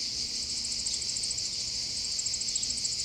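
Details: Eurasian wryneck nestlings begging in a nest box, second brood of the year, parents still feeding them, Alzira, 29 July 2015, 35°C and 80% humidity: a steady, very high hissing buzz with rapid ticking pulses.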